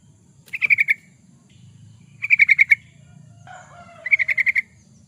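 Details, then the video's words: Yellow-vented bulbul singing energetically, kept as a master track for training birds: three quick chattering bursts of five or six bright notes, separated by pauses, with a low rumble beneath. "Suara burung trucukan, pancingan burung trucukan suara gacor"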